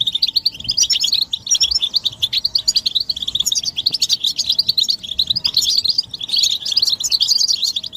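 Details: Goldfinch group chatter given as stimulation for males to sing, described as mating and readiness calls; continuous high, sparkling twitters and trilled phrases overlap densely from start to finish.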